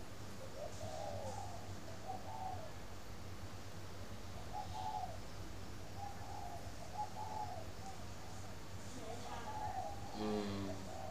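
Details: Morning cooing of a spotted dove from a bird farm in Ba Vì, Hanoi, Vietnam: mellow, hollow coo notes in short groups recurring through the recording, a low mechanical hum beneath, and a sharp chirping call near the end.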